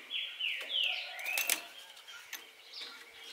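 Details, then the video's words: Green-winged saltator (trinca-ferro) song in Araruna, Paraná, Brazil, recorded 2 August 2020 to stir caged birds into singing and competing. Slurred whistled phrases, falling and rising, with some noisy rustling and flutter behind. "para ESTIMULAR seu TRINCA FERRO"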